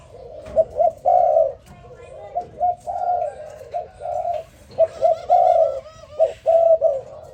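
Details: Spotted dove cooing in the morning: low, soft hooting coos in short groups with brief pauses between phrases, and faint chirps of other small birds in the background.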